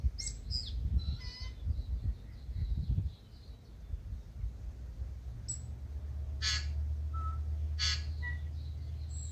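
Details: Tūī waking before sunrise in Manawatu, New Zealand, calling early in the morning: scattered high whistled and clicky notes with a sharp rising squeak, over a low rumbling background hum.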